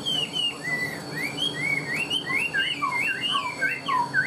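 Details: Caged Chinese hwamei delivering fluid, bouncing whistles, each phrase dipping and rising in quick succession, with a few lower slurred notes mixed in and faint steady tones in the background.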